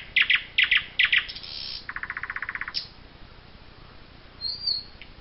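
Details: Eurasian jay in the Wittlicher Tal, 2018: three paired harsh bursts, then a fast dry rattle of about fifteen even pulses, a short rasp and a thin high whistle near the end.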